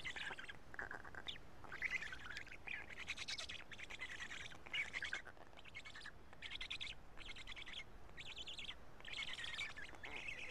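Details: Black stork chicks at a Karula nest on 31 May 2017 at 12:47, calling during a feeding in which two big fish were brought and the chicks picked out pieces; harsh, raspy calls in rapid bursts, repeated with short pauses.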